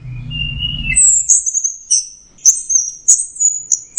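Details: Teler-style song of an orange-headed thrush: a short lower whistle, then high thin whistled notes and sharp ticks delivered in rapid repeated bursts, with a brief low rumble at the start.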